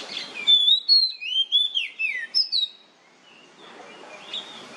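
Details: Nyemplong-style song of an oriental magpie-robin used as a lure so other birds will sing: about ten bright whistled notes in quick succession, some rising, some swooping down, stopping after three seconds, then soft background hiss and faint chirps.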